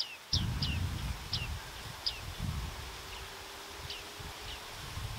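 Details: Bearded reedling giving clear, metallic 'ping' notes that drop sharply in pitch, repeated irregularly about eight times over five seconds, over rustling reeds and a low rumble.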